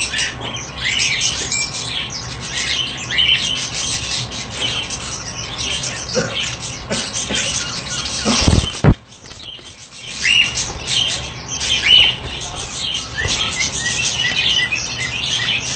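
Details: Breeding budgerigars keep up a busy, high twittering chatter full of scratchy warbles and sharp chirps.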